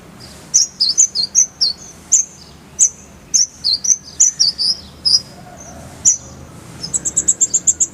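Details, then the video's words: Kolibri ninja sunbird singing a full-filler tutor song: a lively series of very high chips and slurred twitters, some dipping and rising, ending in a fast, evenly pulsed roll of piercing notes. "Masteran Kolibri ninja full isian, Roll tembakan Suara jernih"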